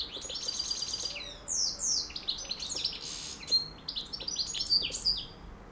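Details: European goldfinch, a colourful bird, calling and singing: rapid tinkling high twitters, buzzy downslurred notes and trills tumbling together in a lively jumble, with no clear repeating pattern.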